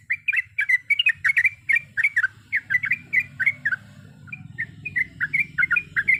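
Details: Long, fast 'ropel' song of a sooty-headed bulbul packed with varied notes: loud bubbly phrases at first, a softer spell in the middle, then lively warbled notes again.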